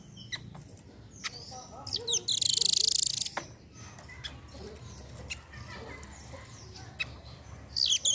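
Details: Velvet-fronted nuthatch calling: one loud, very high rapid trill lasting about a second, surrounded by scattered sharp clicks and chips and a short high burst at the end, over faint low hum.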